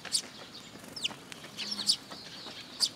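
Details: Sparrows assembling at a feeding spot on a post at a Tenmangu shrine, 26 June 2022: sharp high chirps mixed with a few slurred, descending squeaky notes, irregularly spaced.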